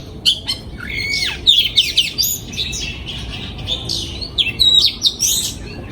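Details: Oriental magpie-robin song from a breeding aviary in 2022: a busy stream of high whistles, downward slurs and short trills, with a few louder accented notes.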